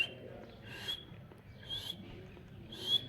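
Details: Pet rose-ringed parakeet giving three short, harsh, breathy calls with a shrill whistled edge, about one second apart, over a low background hum.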